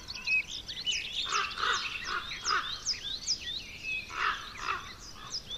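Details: Juvenile common ravens, Côtes d'Armor, France, give short bursts of rough, grating croaks in two clusters, over a dense background of high chirping songbirds.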